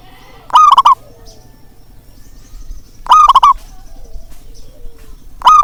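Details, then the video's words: Local zebra dove calling to stir silent birds into song: three phrases of a rising coo and rapid pulsed notes, spaced about two and a half seconds apart, over faint background sounds. "panggilan untuk perkutut malas bunyi"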